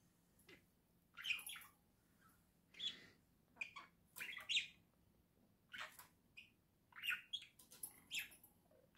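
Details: Pet budgerigars, a pair kept in a cage at home, recorded in November 2024, chattering in scattered bursts of scratchy, buzzy notes with short squeaks and pauses, over a steady low room hum.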